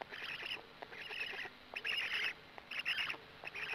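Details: At a black stork nest in Gemenc, 13 May 2017, 20:04, during arrival and feeding: rasping, breathy bursts roughly every second, uneven in length, over a quiet high hiss.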